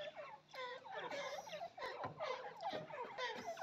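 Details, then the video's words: A francolin (teetar) gives a busy run of short, ringing, slightly nasal notes, several each second, overlapping in a harsh, crowded chorus. "Teetar ke Awaz"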